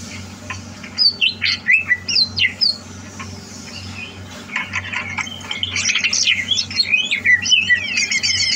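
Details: Caged greater green leafbird being readied for contest singing, 30 November 2022; opens with a few loud, separate whistled notes, then shifts into a dense, high, scratchy warbling medley that grows fuller toward the end, over a steady hum.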